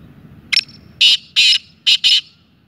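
Black francolin giving a loud, harsh, grating call: a quick clipped double note, then four rasping notes in uneven pairs, over a faint low rumble.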